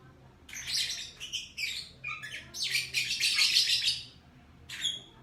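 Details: Lovebird chirping in the morning, a loud continuous stream of harsh, buzzy high squawks and chatter lasting several seconds, then a brief pause and one more burst.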